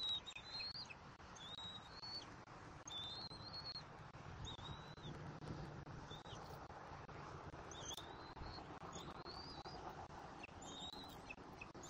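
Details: Young bald eagle at its nest in Southwest Florida, 17 February 2024, tugging a rat pelt with its mother during a feeding, utters a series of faint, high, wavering chirps amid constant wind noise.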